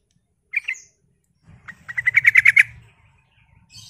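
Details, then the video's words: Sooty-headed bulbul singing vigorously, used as a lure to make other bulbuls answer: a brief doubled note, then a fast run of about ten loud chattering notes that builds in strength over roughly one second. "Trucuk mana yang gak nyaut dengar suara pancingan trucukan gacor ini"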